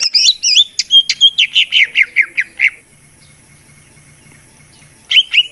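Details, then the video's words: Cucak ijo (greater green leafbird) song used as a lure: twisting whistles followed by a rapid run of about a dozen short, clear notes sliding downward, then a brief pause before a new burst. "pikat mp3 cucak ijo dan bisa untuk Terapy untuk burung yang malas bunyi"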